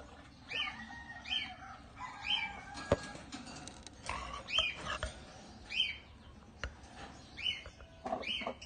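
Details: African lovebirds (Agapornis) held by breeders, giving sharp, high squeaks at a steady pace of roughly one per second, each a short bent note, with scattered clicks and a low hum beneath.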